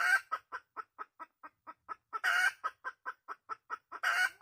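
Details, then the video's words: A wild red junglefowl hen calls insistently: evenly spaced short clucks punctuated by two louder, drawn-out harsh cackles. "suab poj qaib qus tsauj tuaj heev"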